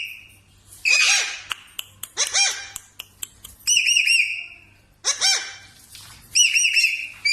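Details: Parrot sounding off in its natural voice, harsh rasping squawks and short clicks giving way to bright wavering whistles, repeated in two main phrases.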